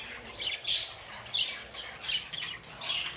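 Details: Budgerigar calls: a few short, bright chirps and scratchy squawks spaced unevenly over three seconds against a soft background hiss.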